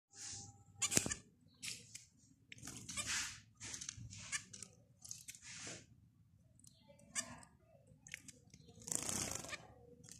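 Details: Zebra finch giving a series of short, buzzy, broadband notes in irregular bursts roughly every half second to one second, a few with nasal, harmonic tones, over faint low background hum.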